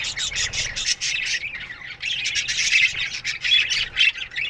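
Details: A morning chorus of budgerigars in an aviary colony, with overlapping scratchy chirps, squeaks and warbling chatter from many birds, swelling and easing in waves.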